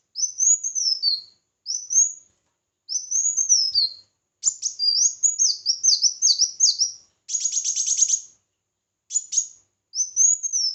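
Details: Red-whiskered bulbul singing in competition for voice training: several high whistled phrases, then a denser run of warbling notes and a rapid buzzy rattling burst, before returning to clear rising-falling whistles.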